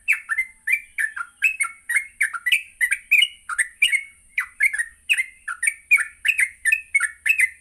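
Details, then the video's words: Morning training lure of a yellow-vented bulbul in full voice: rapid, bubbly chirps and slurred whistles that rise and dip, tumbling on without pause over a constant high-pitched hiss. "Pancingan Pagi burung trucuk Gacor sangat cocok untuk melatih trucuk belajar bunyi dan ngropel"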